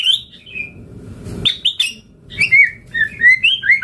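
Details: White-rumped shama singing to lure other shamas into responding: clear whistled slurs and tinkling notes, then a sequence of sweet rising and falling whistles near the end.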